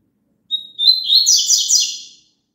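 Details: Double-collared seedeater song, played so a caged bird will sing along: one short burst of about one and a half seconds, a thin high note followed by a fast, bright, warbling twitter, with no other sounds.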